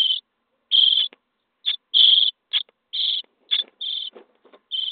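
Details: Starling chicks at day 23 in a nest box clamour for food during feeding, giving loud grating, buzzy high calls in quick irregular bursts, long and short, almost continuous.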